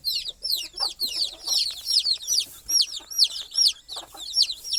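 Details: Chicks cheep at night, trying to reach their mother hen, who sleeps on a stick above the nest. Loud, piercing, downward-curving peeps come in clustered bursts over a quiet background.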